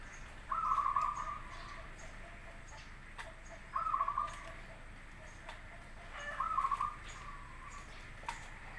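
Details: Local and crossbred zebra doves singing, meant as a lure recording for other doves to reply; three short rolling trilled phrases spaced about three seconds apart over quiet background hiss and faint clicks.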